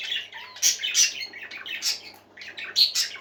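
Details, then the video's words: Pet parakeets sing as a group inside, trading squawky chirps and quick warbled notes with brief pauses, two loud sharp peaks early on, over a faint low electrical hum. "Happy Parakeets Singing"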